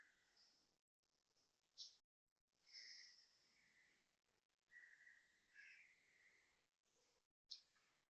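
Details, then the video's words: Asian koel heard at 6.55am on 30 January 2026 near a housing block in Toa Payoh, Singapore; faint, whistled notes, some rising sharply, scattered across the recording over a steady urban hiss. "Loud koel noises"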